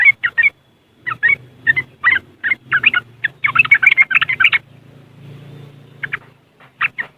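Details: Yellow-vented bulbul riwikan chatter from West Java, Indonesia, used as a lure for caged trucuk: irregular bursts of scratchy notes building to a dense run, then a pause and a few final chirps, over a low hum.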